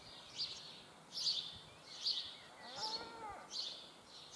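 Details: A begging common kestrel youngster repeats harsh, breathy wheezes roughly every 0.8 seconds; a brief tonal warbling sound from another source overlaps near the middle.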